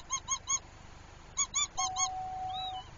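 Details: A northern lapwing pair, distressed over their chick and driving it away from herons, gives short, nasal, yelping alarm notes in bursts of three and then four. A steady faint tone and a soft wavering call sound behind them.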